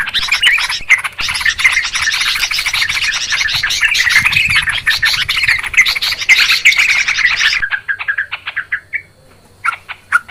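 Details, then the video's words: Lure recording of noisy Yellow-vented Bulbuls for bird trapping: about seven seconds of dense, harsh group chattering, then it cuts to a few sparse, liquid single notes separated by short silences. "Suara trucukan ribut...suara jernih buat pikat"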